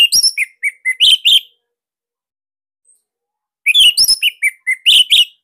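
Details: Orange-headed thrush (Anis Merah Bali), a caged bird, singing in a master recording meant to prompt young or silent thrushes to sing. Two bursts of rapid, tight, loud whistled chirps and trills, each about 1.5 seconds, separated by a pause.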